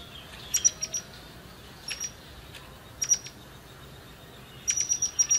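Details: Forktail lure for getting other birds to sing: thin, high, clipped whistles and sharp ticks in small clusters about once a second, ending in a quicker run of notes.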